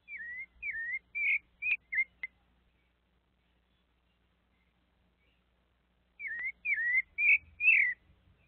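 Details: Sabiá, a thrush, visited by a small monkey: a burst of six quick slurred whistles, nearly three seconds of silence, then another run of four louder whistles, with soft clicks in between.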